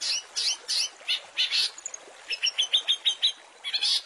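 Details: A long-tailed shrike master with rich fill-in phrases for tutoring caged songbirds: a series of rasping, high chirps, then a run of about eight clear, even, piping notes and a final harsh burst.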